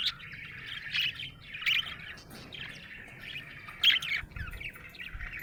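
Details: Contented budgie chirping in bursts: loud scratchy chirrups about once a second between softer continuous chatter, very little background noise.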